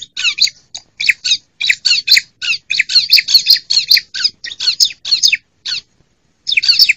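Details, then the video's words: A female bar-winged prinia gives a fast, scratchy series of sharp chirping notes, nearly continuous, before a short silence. The recording serves as a lure to rouse a quiet prinia or attract wild ones for trapping. "ciblek mu malas bunyi ..? segera pancing dengan suara ciblek mp3 ini ..!!"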